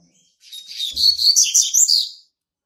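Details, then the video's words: Young male Double-collared Seedeater, hatched in March 2019, already singing to mark its territory: a fast, high, twittering phrase of about two seconds with buzzy trills and sharp chirps, building in loudness toward the end. "COLEIRO PARDO QUERENDO JÁ MARCAR SEU TERRITÓRIO"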